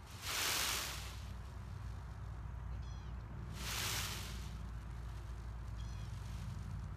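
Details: Male Indo-Chinese green peacock in his second year, kept by a breeder, displaying and rattling his long train against his tail feathers to attract a peahen: two broad hissing rustle bursts about three seconds apart, faint thin chirps between, steady low hum beneath.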